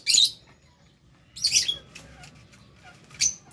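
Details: Pet lovebirds feeding in a cage alongside budgies, with short harsh high chirps in two dense bursts about a second apart, then a brief sharp squeak.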